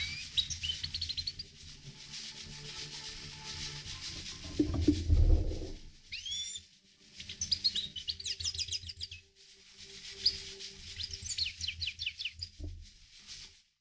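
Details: Himalayan goldfinch twittering in several high, liquid bursts of fast chirps separated by pauses, with a loud rustling or rubbing noise partway through and a low background rumble.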